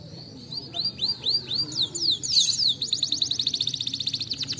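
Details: Canary song used as a lure to prompt other birds to sing: a series of clear, looping whistled notes that sweep up and down, then a fast, even trill of sharp repeated notes, over a faint low background rumble.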